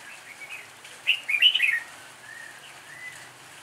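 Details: Improvised fighting song of a red-whiskered bulbul lure bird: a quick, lively burst of clear, chirpy warbled notes lasting under a second, followed by soft drawn-out whistles against constant hissy background noise.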